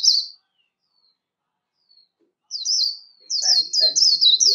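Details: Warbling white-eye singing in the competition style called líu, used as a training recording: a short high chirp, a pause, then rapid bursts of high, slurred twittering notes with faint lower clicks beneath.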